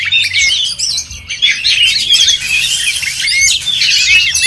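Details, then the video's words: Oriental magpie-robins at a songbird singing contest: dense, overlapping high whistles, rapid chirps and sweeping trills from several birds at once, with no pauses. "LOMBA KICAU MANIA BURUNG KACER"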